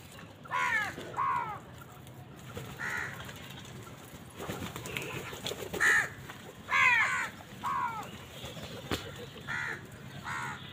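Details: Crows fighting wild birds for food utter a steady series of rough caws, roughly one a second, mixed with a few clicks and faint background murmur.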